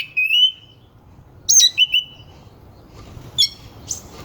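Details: Oriental magpie-robin singing in a varied, rough style meant to rouse rival birds; a clear sliding whistle, then short sharp high notes and buzzy bursts separated by pauses.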